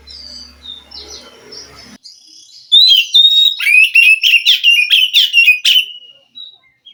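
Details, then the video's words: Wild white-rumped shama from the forest, answering a captive bird reluctant to sing; soft background notes with a low hum, then a loud run of clear whistles and fast repeated harsh chatters. "Suara Kacer asli hutan mampu merespon Kacer yang malas bunyi Kacer macet"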